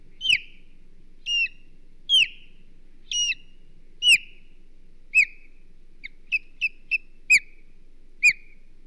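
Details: Osprey guarding its Hog Island nest, 22 May 2023, repeats loud shrill descending whistled yelps about once a second, then quicker clipped notes, with a low background hum and occasional knocks.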